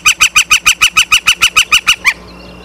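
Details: Osprey at its nest in Charlo, Montana, captured by a live nest camera on the evening of 9 September 2023. About a dozen piercing, whistled chirps come in quick, regular succession over two seconds before ending suddenly.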